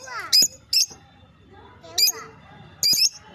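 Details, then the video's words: A lovebird gives shrill, high, squeaky chirps in four brief bursts over about three seconds, with softer, lower chatter between them. "Love bird ❤️❤️ sound 💕 chirping sound so sweet"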